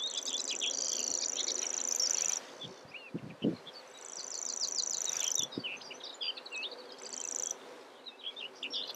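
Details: Common grasshopper warbler song: a high, dry, insect-like reel held for about two seconds, broken off, then resumed in shorter bursts, with other birds' varied chirping notes in between and behind.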